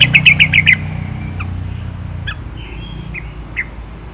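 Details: Yellow-vented bulbul, 'gacor full isian' singing: a rapid burst of five loud, slurred chirps opens the clip, followed by scattered softer single notes over faint background hum.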